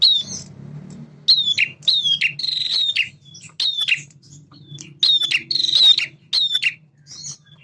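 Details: Energetic male bar-winged prinia song used to provoke young birds into responding: repeated short buzzy phrases with sharp high whistles, roughly every half second, in a quiet setting.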